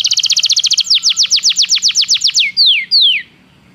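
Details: Belgian canary singing, used for training: a fast high rattle of repeated notes turning into slower loud downward sweeps and two drawn-out falling whistles before silence.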